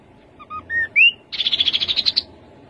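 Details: Rufous-capped babbler delivering whistled introductory notes climbing in pitch, followed by a rapid, steady trill of about twelve high notes lasting nearly a second. No other sounds intrude.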